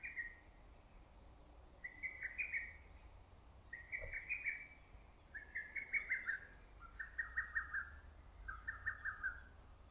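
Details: Lesser cuckoo calling repeatedly from early-summer forest: six rapid phrases of staccato whistled notes roughly every one and a half seconds, gradually dropping in pitch, over soft background hiss and a brief thump.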